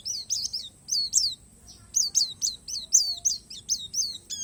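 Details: Oriental white-eye of the palas Borneo type, singing an isian alam song: high, thin, downslurred whistled notes in quick bursts of two or three, then a longer run of evenly spaced chirps, with a faint steady hiss.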